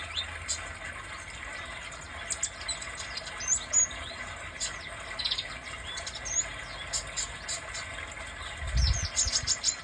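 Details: A kolibri dada merah sunbird utters sparse, high, thin chirps and short ticking bursts, followed near the end by a low thud, over steady faint hiss.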